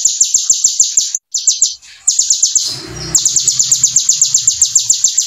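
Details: Brown-throated sunbird in vigorous full song with ciblek-style filler: quick, evenly spaced high chipping notes in long runs, interrupted once by a short rumbling noise before the rapid series resumes.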